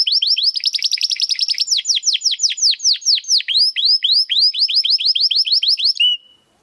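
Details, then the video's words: Domestic canary singing crystal-voice song meant for training competition birds: quick high notes flowing into a long run of downslurred whistles, closing on a brief flat whistle. "Kenari Gacor Suara Kristal Buat Masteran Burung Gantangan"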